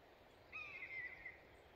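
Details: A single drawn-out, high mewing cry from a Common buzzard in Estonia, sliding gently downward over almost a second, against faint, steady outdoor background noise.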